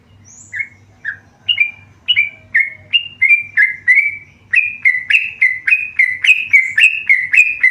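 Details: Hesitant single whistles from a tame yellow-vented bulbul speed up into a loud rhythmic string of clear notes, about three each second, each with a short downward slur, over a faint hum.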